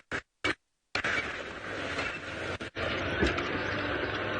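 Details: Broadband noise with brief dropouts and faint clicks, like a vehicle or wind, with no animal calls heard.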